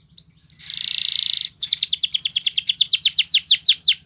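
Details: A Belgian canary sings for training other canaries. A short opening note gives way to a swelling buzzy roll, then a rapid rattling trill of down-slurred syllables over a faint low hum.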